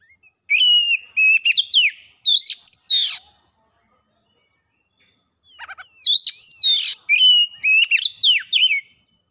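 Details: Oriental magpie-robin lure song meant to make birds sing quickly and show learned phrases: two bursts of fast whistles mixed with harsh rasping notes, separated by about two seconds of silence.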